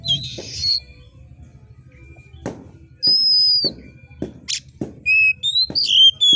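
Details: Oriental magpie-robin in full, eager song, given as a sharp screeching call meant to fire up competition birds: dry clicking ticks, then loud, clear high whistles, some sliding downward, crowding together toward the end.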